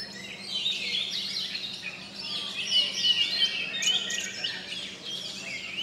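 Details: Competing caged oriental magpie-robins in a final-round singing contest in Sri Aman, Sarawak, Malaysia, pour out overlapping clear whistles, quick rising and falling slurs and scratchy notes, with a steady low hum underneath.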